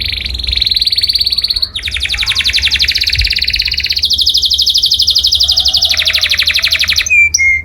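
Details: Loud canary song for other birds to learn. Sustained high trills shift into long, fast-pulsed rolls that continue with only small changes in pitch for several seconds, then end in a few sharp notes.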